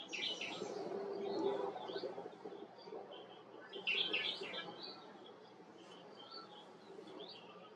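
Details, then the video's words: Himalayan bulbul, also called white-cheeked bulbul, uttering warbled, slurred chirps in two clusters, one at the start and one midway, against a noisy outdoor background with a low murmur. "Himalayan Bulbul/ White Cheeked Bulbul"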